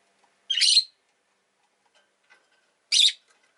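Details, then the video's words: Two pet rosy-faced lovebirds clustered at the entrance make two drawn-out, harsh, screechy chirps about two seconds apart, with faint small clicks between. "Lovebird Chirping Sounds"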